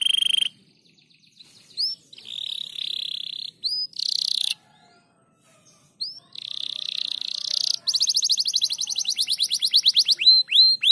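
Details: Crested canary song in broken bursts: short whistled notes and brief buzzy trills separated by silent gaps, then a long rapid rolling trill and a few falling whistled sweeps near the end.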